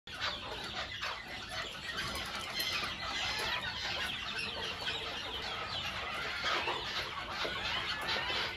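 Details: White Faverolles hens cluck and chatter in a dense flock, with occasional wing flaps and a steady high hiss in the background.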